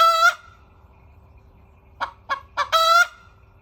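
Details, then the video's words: Crowing hen: a long, drawn, nasal note opens, then silence, then three short harsh clucks building into a second prolonged ringing note that rises slightly before cutting off. "hen crowing / 雌鶏の鳴き声"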